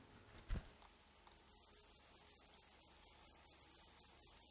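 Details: Black redstart chicks in a nest in an old stove pipe of a building set for demolition, Poland, day 11. After a single dull bump and a pause, a burst of piercing, rapid, high-pitched begging chirps starts and continues.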